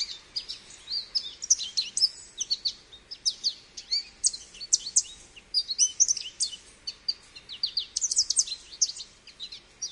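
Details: American goldfinch in lively, sustained song: a dense jumble of high, bright chips, trills and slurred whistles running almost unbroken.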